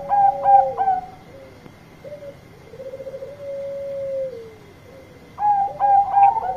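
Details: Zebra dove of the Bangkok type sings loudly, calling to companions: quick clusters of stuttering mellow coos open and close the phrase, separated by a long, level, rolling purr-like trill, with a faint steady high whine behind.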